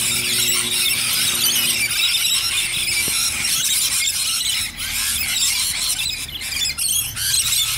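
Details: A gathering of Rainbow lorikeets in Bonnyrigg gives dense, high-pitched screeching and chattering throughout, with a faint low steady tone in the background.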